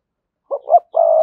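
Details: Spotted dove decoy cooing used to prompt other doves to coo: two short low broken notes followed by a longer steady hooting coo, clean with no background.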